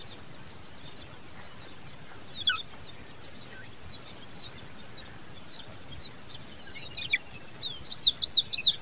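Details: Common babbler chicks being fed by their mother give thin, high, squeaky begging calls in rapid overlapping bursts, nearly continuous and rising in excitement toward the end.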